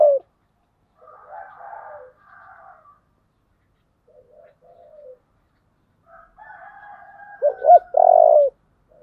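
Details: Spotted dove in 'giọng thổ' style song: faint, muffled coo phrases at first, then near the end a loud sequence of two brief rising coos closing with a long buzzy note.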